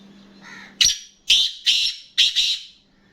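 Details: Black francolin calling: a series of four loud, harsh, grating bursts, each sharply attacked and then fading, spaced roughly half a second apart, with a faint low hum before the first burst.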